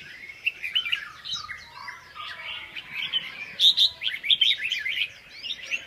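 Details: Red-whiskered bulbul singing: bright, quick whistled phrases with chirpy, warbling notes. The bursts are irregular and separated by short gaps. A faint low background hum runs underneath.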